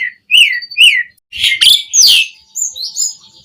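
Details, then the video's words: Asian pied starling song used to excite caged birds: two clear, rising-falling whistles, then loud rasping bursts, followed by softer high warbled notes. "Suara Burung JALAK SUREN GACOR Full Isian Pancingan PENDONGKRAK Emosi Burung Jalak Agar Cepat Gacor"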